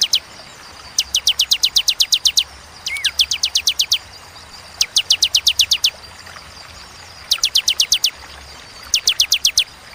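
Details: Bar-winged prinia song: repeated bursts of rapid, high, sharp ticking notes, eight to ten per burst, with short pauses between bursts every couple of seconds; a faint rising whistle from another bird in the background.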